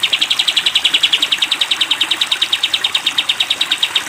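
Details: A sooty-headed bulbul in the 'tembak panjang' style, used to train cage birds, holds one unbroken, fast, machine-gun run of bright chip notes for the whole stretch, steady in pitch and loudness.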